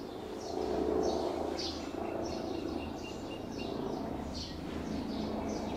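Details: Olive-backed sunbird chicks fed at the nest, fourth brood, day fourteen, 4 March 2020; thin, high chirps repeat rapidly, about four a second, over a steady low hum.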